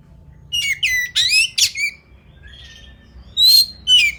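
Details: Oriental magpie-robin (kacer) in fighting mode: loud, varied phrases of rising whistles and harsh buzzy notes in quick bursts, with a pause before two more bright whistled phrases near the end.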